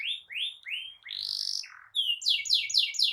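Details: Energetic rolling canary song meant to tutor young birds and coax canaries that stopped singing: upswept whistled notes, a short buzzy burst, a pause, then fast repeated downslurred notes.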